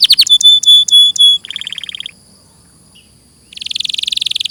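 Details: Canary song fragments: a few bright whistled notes, a short buzzy trill, a pause of silence, then a dense rapid buzzing trill.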